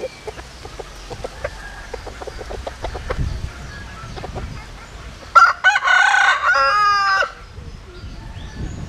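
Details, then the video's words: Mixed Japanese-Cuban bantam rooster crowing vigorously: a loud, strained crow of about two seconds, a sharp opening then a long wavering held note breaking into pulses, preceded by soft rhythmic clucks and background chatter. "Gà Tre Jap Cuban Tiếng Gáy Rất Sung"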